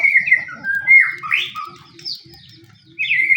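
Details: Pastol white-rumped shama in fighting form, its song used to spur other shamas to sing: clear whistled phrases, slurred swoops and a bright ringing end phrase, a short lull midway, over soft low hum.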